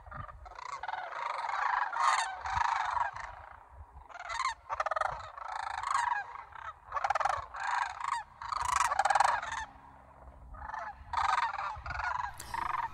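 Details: A flock of 60-plus local cranes in Homer, Alaska, in September, bouncing into the air on practice flights before migration: repeated rattling, bugling calls in bursts over thirteen seconds, many birds overlapping, with soft low background rumble.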